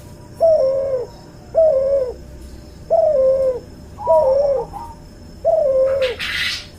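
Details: Five mellow, slightly falling coos from a cuhu dove, a cross of a white albino puter and a puter pelung, repeated about every 1.3 seconds for tutoring, ending with a brief rustling noise.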